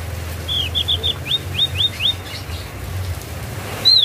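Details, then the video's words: Javan grey-throated white-eye giving a string of about seven clear, high, falling chirps at an even pace, then a single louder note after a pause; low steady hum beneath. "BURUNG OPIOR JAWA SUARA MANTUL"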